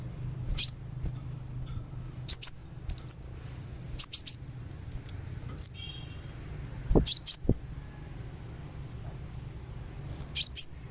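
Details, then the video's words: Sunbird therapy recording to get a bird singing: scattered bursts of very high, thin chirps and short twittering notes across eleven seconds, with one dull low thump midway and a steady faint whine. "suara terapi kolibri supaya gacor"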